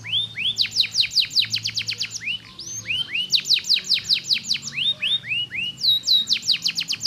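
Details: Canary song used to stimulate lazy canaries to sing, a Faba-type singer: fast trills of descending whistled sweeps, rising slurred notes between rapid repeated phrases, lively and continuous over seven seconds.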